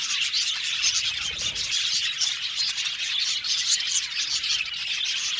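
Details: Aviary budgerigars chirping as a colony: lively, unbroken high-pitched chatter with scattered sharper tweets standing out.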